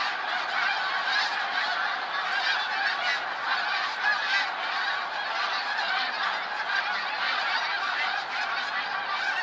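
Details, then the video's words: Snow geese in a huge flock, 28 February 2013: a steady wall of many overlapping high, barking honks, unbroken and evenly loud throughout. "Attack of the snow geese!"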